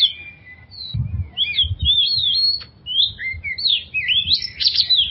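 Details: Lure song of an oriental magpie-robin for stressed magpie-robins: long drawn whistles, then looping sliding notes and a buzzy ending, with soft low thuds in the background.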